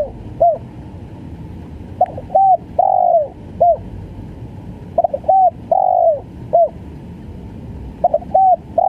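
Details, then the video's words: Spotted dove giving a gagap (stuttering) style call: short cooing notes in quick clusters mixed with a longer, drawn, downslurred coo. Phrases repeat about every three seconds over a faint low hum. "SUARA TEKUKUR||GAGAP FUL"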